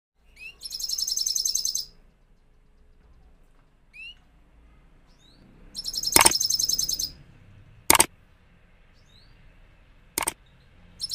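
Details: Caged Himalayan goldfinch singing: two bursts of fast, high, tinkling twitter, each about a second long, with sharp clicks and knocks in between and a few faint single chirps.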